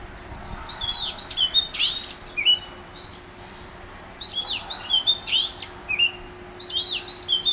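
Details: Oriental magpie-robin at Mormugao Harbour, Vasco da Gama, singing loud phrases of whistles mixed with sharp high ticks, each phrase lasting about two seconds and repeated after short pauses, over quiet background hum.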